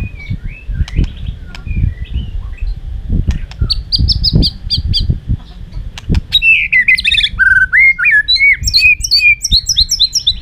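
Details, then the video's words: White-rumped shama fighting song for training: soft scattered notes and knocking sounds, a short high trill, then a loud fast cascade of varied whistles and warbles. "chòe lửa hót đấu"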